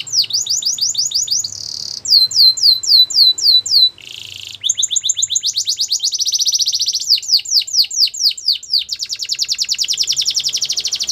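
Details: Belgian canary singing in the morning, switching quickly between tours: trains of steep falling whistles, a short steady buzzy note, fast rolling trills and a final even rattle, all high and bright.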